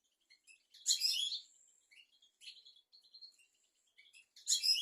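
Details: European goldfinch song for teaching young goldfinches and canaries: scattered high twittering notes and buzzy bursts, separated by short pauses, quiet overall.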